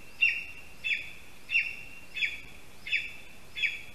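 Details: A Latvian male lesser spotted eagle calls from its spruce nest on an August morning after delivering a mouse, summoning its mate: six loud, sharp, high yelps with a short downward slide, evenly spaced about 0.7 seconds apart.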